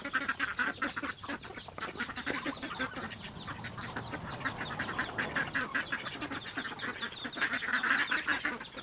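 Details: A flock of ducks fighting over food thrown to them, calling in overlapping raspy quacks throughout while sharp clicking and pecking sounds break in, the chorus swelling near the end.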